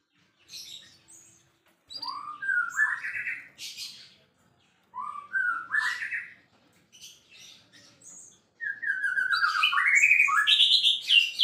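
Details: Champion white-rumped shama in lively song: three loud phrases of rising slurred whistles mixed with harsh high squeaks, separated by short pauses, the last a long rapid warble.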